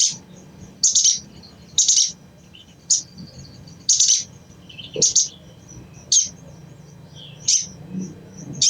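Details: Crimson sunbird giving its chattering call, used to stimulate untrained birds into song; loud, high, clipped chattering bursts repeated roughly once a second, with a few softer thin notes between them.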